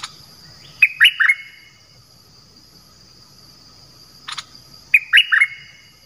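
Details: Decoy bird for luring birds, calling two short bursts of sharp descending chirps, three or four notes each, separated by a few seconds of quiet, with a faint steady high tone behind.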